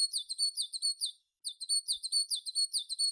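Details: Tit singing a rapid series of sharp, high, bright notes, many per second, in a fast even rhythm that breaks off briefly and then resumes.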